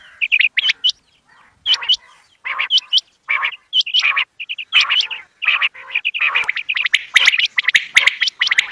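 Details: Quail (bater) calling in a hunting setting: clusters of bright chirps and curling whistled notes come in uneven bursts separated by short pauses, growing busier and denser toward the end.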